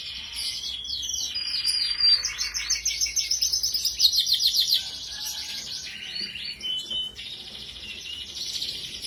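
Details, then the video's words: Iran canary, described as a strong, persistent singer: high trilled phrases and rapid repeated chirps, a long buzzy rattle in the middle, then fainter short phrases, over a faint low hum. "Kicau Kenari Rasmi Iran Gacor"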